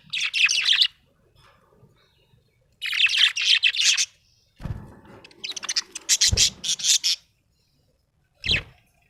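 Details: Happy budgerigar giving dense, chattering chirp phrases of about a second each, then a looser run of rapid ticking notes and a final short chirp, with low thuds between phrases.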